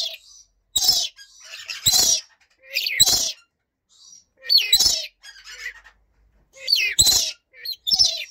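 A Blue-streaked Lory gives harsh, shrill screeches in short bursts, roughly one each second, with brief rasping notes between them.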